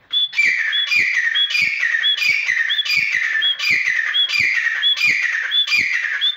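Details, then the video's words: Grey francolin, known locally as teetar, calling loudly in a fast regular series of harsh, ringing phrases, each with a brief whistled note, repeated roughly every 0.6 seconds without pause. "Teetar Ki Awaaz | Partridge Voice"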